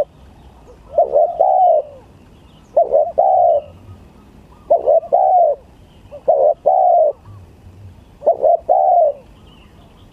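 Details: Spotted dove in a song contest: five bursts of mellow, low coos, each a short stutter then a longer, slightly rising-and-falling note, spaced about two seconds apart over a quiet background.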